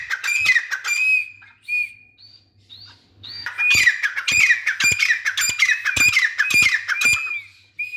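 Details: Teetar, the grey francolin, opens with a few harsh notes and thin whistled tones, then breaks into a steady series of loud grating calls with ringing overtones, about eight in four seconds.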